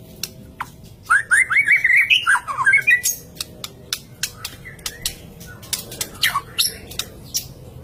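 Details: White-rumped shama in full song: a rapid run of clear, bouncing whistled notes over two seconds, followed by a string of sharp clicking and ticking notes scattered irregularly to the end.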